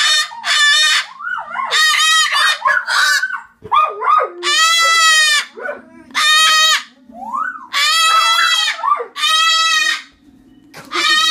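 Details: Cockatoo screaming at full volume: rough, sliding squawks and upward-swooping calls mixed with long harsh shrieks, repeated for over ten seconds over a low steady hum.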